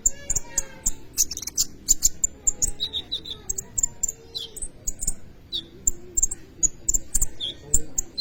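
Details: Sunbird called kolibri ninja singing in full, played to coax and teach other songbirds: dense run of sharp, very high chips and brief squeaky whistles, a low rumble underneath.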